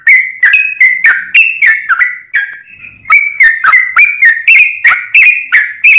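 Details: Sooty-headed bulbul singing lively for use as a trapping lure: fast chain of short whistled notes with abrupt starts, slurring between two pitches, briefly broken by a soft drawn note before the rapid series resumes.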